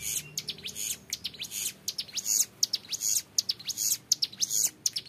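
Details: Long, clear ngebren song of a young mountain prinia: rapid bursts of very high, sharp ticking notes in uneven runs, rising and falling in loudness.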